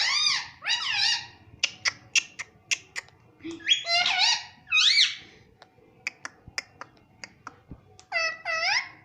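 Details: Pet Indian ringneck parrot indoors, taught to say mummy and papa. It gives harsh squawks with rich overtones, bent up and down, and short clicks in between.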